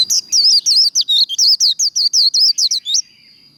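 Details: Close, loud run of high, wavering twittered notes from a Japanese white-eye singing líu contest song, used as kích lửa training, about fifteen rapid notes in three seconds, then a faint steady whine.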